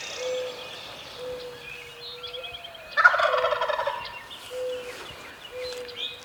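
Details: Wild turkey gobbler calling from its roost on public land in Maryland, hunting season; one hard, fast, rattling gobble erupts midway, framed by clear whistled notes and trills from smaller birds.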